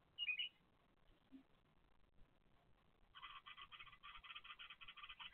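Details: Bulbul chicks in a nest, filmed by monitoring camera, beg with a fast, buzzy chatter of harsh pulses, about six a second, after a single high chirp and a short quiet spell; bulbul.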